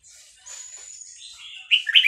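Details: Caged Vietnamese red-whiskered bulbul, excited by a played recording of hatched chicks, sings along: a thin steady high whistle, then loud bright chirped notes bursting near the end.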